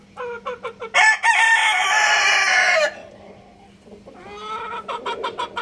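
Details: Rooster giving a loud full crow of nearly two seconds, preceded by a run of short clucks and followed by more rapid clucking.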